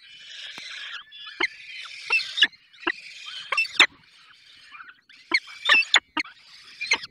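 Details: Falcons at their nest in the Barycz Valley during feeding: rasping, noisy screeches in bursts, mixed with sharp knocking clicks and short pauses between calls.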